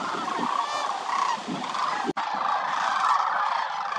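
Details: A large flock of wintering Sandhill cranes at Willcox Playa Wildlife Area roost calls at once: overlapping rolling, trumpeting rattles in a steady mid-pitched chorus, with a brief break; some cranes dancing.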